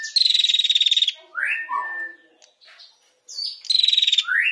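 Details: A female prinia sings the fast 'ngetir' pattern prized for tutoring caged songbirds. A buzzy, rapidly pulsed high trill is followed by a rising slurred whistle and soft chips. After a short pause, another trill and an upward whistle follow.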